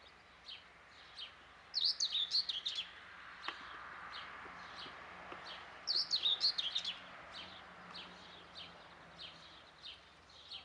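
Young guineafowl give thin, high peeping chirps, with two quick bursts of rapid cheeps a few seconds apart and scattered single peeps between them, over a soft rural background hiss.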